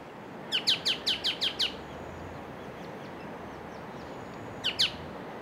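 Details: White-cheeked honeyeater calling while searching for its mate in the bush, flitting between perches: a quick run of seven sharp, high, downslurred chips, then after a pause two more similar notes; steady background hiss.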